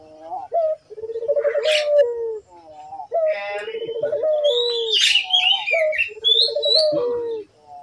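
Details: Repeated cooing of a lively collared dove, meant to prompt doves to call: four rounds of fast pulsed low coos ending in drawn-out falling notes, with short rising notes between and high twittering of small birds.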